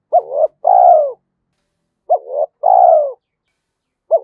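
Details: Spotted dove cooing in the Thúc Đấu 'giọng thổ' voice style, said to suit forest trapping; paired low mellow coos, each a quick hooked note then a drawn-out falling one, repeated about every two seconds, quiet background.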